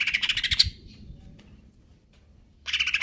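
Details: Greater green leafbird singing konslet kejer nembak, KLO type in stable condition: a rapid rattling buzzy trill ending in a sharp high note, a short silence, then the trill resumes.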